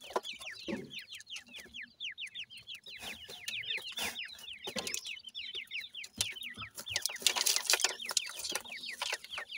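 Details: Several grey francolin chicks, the Pakistani teetar, peep nonstop while exploring outdoors: quick falling high-pitched chirps overlapping in a dense chorus, with bursts of rustling and clicks toward the end.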